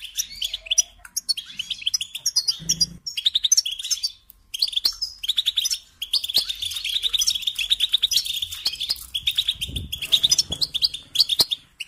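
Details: Goldfinch singing at length, alternating rapid jangling twitters with short gaps, the phrases bright and metallic, plus a couple of low thuds.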